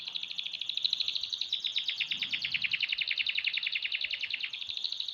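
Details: Canary aged six months in busy song, delivering a long, unbroken rattling trill of fast repeated notes that rolls on for over five seconds, with a faint low hum underneath.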